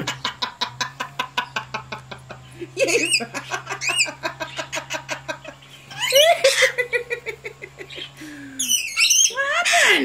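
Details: Lorikeet chattering: a rapid run of dry clicks and short chips, about three per second, breaking into loud, harsh, harmonic screeches and a descending squawk, with busy clicking continuing between bursts.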